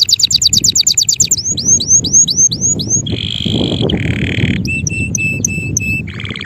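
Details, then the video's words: Male canary sings a rapid high trill, then rising whistled notes about four per second, a long buzzy churr, a lower rolling buzz and a row of clear chipped notes, over low rumbling noise. "canario macho cantando"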